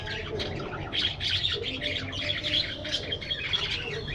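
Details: Budgies in a spacious aviary chatter nonstop in a dense, even wash of rapid high chirps and squeaks, with a low steady hum below.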